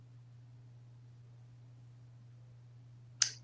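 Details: Steady low hum in a quiet indoor room, broken only by one sharp click just before the end.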